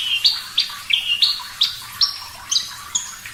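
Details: Javan bush lark song used as a training recording: a series of thin, high whistled notes, some sliding and some held, given about twice a second against faint background hiss.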